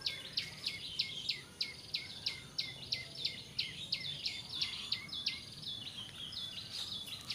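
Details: Bar-winged prinia, its call used as a lure for bird trapping, giving rapid sharp ticking notes about three per second in an even run, set against constant hiss and a high insect-like buzz.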